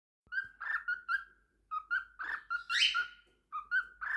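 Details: A pet lutino cockatiel named Piku sings a string of clear whistled notes, some bending and warbling, with brief pauses.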